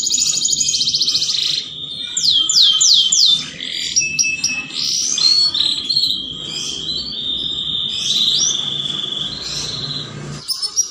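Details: Canary mating-lure song: rapid trills and a run of sharp downswept notes, then varied chirps and a long, steady, buzzy high tone, with brief pauses between phrases.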